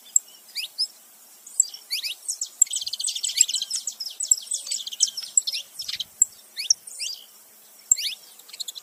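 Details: Saffron finches, male and female together, make noise: fairly quiet high chirps with a dense stretch of rapid overlapping notes in the middle, then scattered falling calls.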